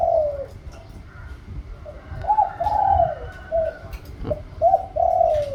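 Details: Spotted dove cooing in a Thai song style with a rising middle note: a series of low, arched coos in uneven phrases over a murmuring, noisy background.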